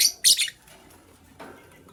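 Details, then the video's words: A lovebird chirps during a morning scramble for vegetables, where a green and a blue bird are feeding: two quick, harsh, piercing chirps close together, then a fainter rustle. "Green LoveBird Chirping Sound"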